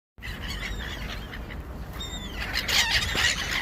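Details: Gulls at dinner while feeding, giving squealing, harmonic calls with slides around a high pitch, several overlapping birds, louder and denser bursts near the end over steady low rumble.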